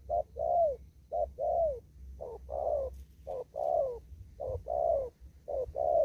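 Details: Spotted dove in an upland field in Kon Tum giving rapid 'thúc gù' cooing: paired phrases of a short clipped note and a longer arched, falling coo, five pairs in six seconds, low rumble underneath.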